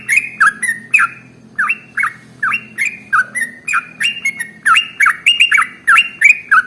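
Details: Sooty-headed bulbul (trucukan) with its extended ropel song for encouraging other birds to sing: bursts of chattering, slurred whistles, some notes run together, others separated by short gaps, against a low background hum.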